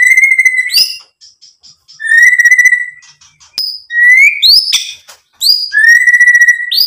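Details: White-rumped shama song played as a lure to stir other birds to sing: long, steady, pure whistled notes held about a second each, alternating with sharp upward-flicked notes and brief buzzy clicks.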